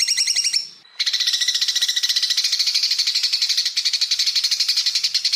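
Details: Greater green leafbird tutor song in burst style: a brief high whistled phrase, a short break, then a long, dense, fast buzzy trill of rapid repeated notes that runs steadily to the end.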